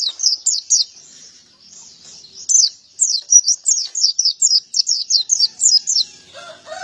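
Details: High-pitched chirping song of a male white-eye (pleci), billed as ngalas ngeplong: scattered notes build into a steady chain of sharp down-slurred tweets, with a low distant call at the end.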